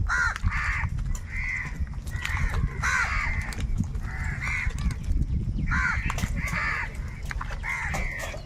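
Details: Crows in a large flock squabbling over food keep up a continuous chorus of harsh, croaking caws, repeated roughly every second, over constant low background noise.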